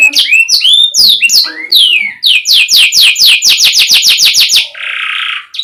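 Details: Tutor song from a canary for young or non-singing birds: a few looping swept whistles, then a fast even trill of repeated downward notes, ending on a brief rasping buzz.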